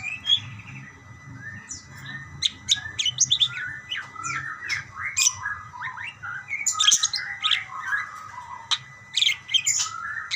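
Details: Budgerigars calling back and forth in busy chatter, short squeaky chirps mixed with crisp clicking notes, growing denser toward the middle and continuing throughout.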